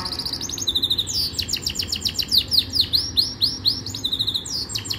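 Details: Loud Yorkshire canary training song, a rapid run of sharp sweeping notes repeated several times a second, rolling into a dense bubbling trill, sung close and clear.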